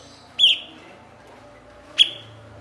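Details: Cucak cungkok, or blue-winged leafbird, a bird prized for imitating others and used to tutor songbirds, utters two emphatic, bright notes, the first slightly longer and slurred downward, about one and a half seconds apart.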